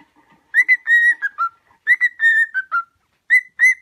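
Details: Cockatiel kept as a pet, singing to teach other cockatiels: a whistled phrase of an upslurred note, a long steady whistle and two falling notes, repeated, then two quick whistles.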